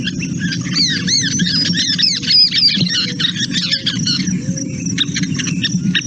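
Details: Scissor-tailed Flycatchers talking to each other: a fast, jumbled run of high squeaky notes and purrs, several per second, like a squeaky toy, over a steady low rumble.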